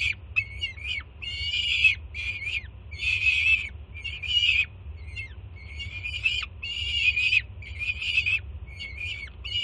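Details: Juvenile peregrine falcon on a Jersey City nest cam, 24 June 2017, screaming loudly in excitement as its banded first-time mother arrives with breakfast. Harsh, harmonic screams come in bursts, about nine in ten seconds, over a steady low rumble.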